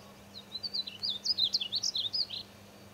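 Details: Singing painted bunting, Wichita Mountains of Oklahoma, delivers one rapid warbling phrase of bright, high notes that rise and dip in quick succession for about two seconds over a low steady hum.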